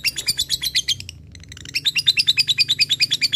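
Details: Fighter lovebird in full 'ngekek' chatter, calling out to a rival: fast, high, shrill chips repeated about three per second, a brief pause near the middle, then an even louder, steadier run of piercing notes.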